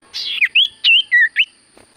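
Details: Sirtu cipoh in full song: a quick run of clear whistled notes, some sliding downward, others looping up and down, ending in a short rising whistle, with a faint steady electronic tone behind.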